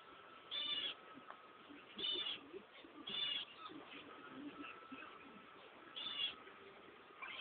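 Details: Cream Java sparrow chicks, eight hatched indoors on 20 March, recorded with a mobile phone: high hissing wheezy calls in bursts about every second or two, over a steady faint hum.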